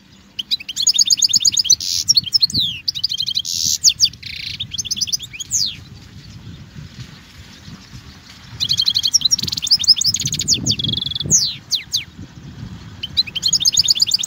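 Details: European goldfinch song for teaching fledgling goldfinches: long runs of rapid twittering and repeated trilled notes with buzzy rasping inserts, a quiet gap midway, then a second lively burst over low background noise.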